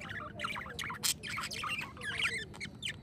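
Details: Budgies singing in a continuous rapid warble of scratchy chirps, squawks and short clicks, densely packed with no pauses, over a low steady background hum.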